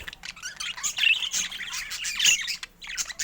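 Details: Budgerigars in many colours, including rare mutations, twittering in a soft, continuous warble of high chirps and short whistled notes, with a few sharper squawks mixed in.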